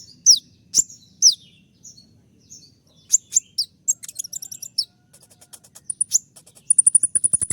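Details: Konin (Oriental magpie-robin) song meant as a training master: loud descending whistles, then rapid varied chips and trilled notes ending in a fast high repeated series.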